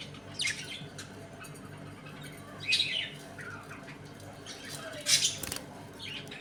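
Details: Budgerigars kept in a home colony, eating and playing: three separated bursts of harsh squawking chatter with softer chirps between them.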